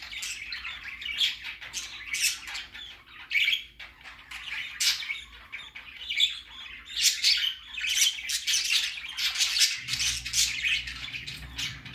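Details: Baby budgerigar going out for the first time, chattering with rough squawks and high twittering chirps in rapid irregular bursts, a low droning hum rising near the end.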